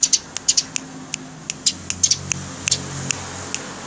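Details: House sparrow chirping, recorded for tutoring songbirds. Sharp, high chirps come singly and in quick pairs at irregular intervals of a fraction of a second, over a faint background hum.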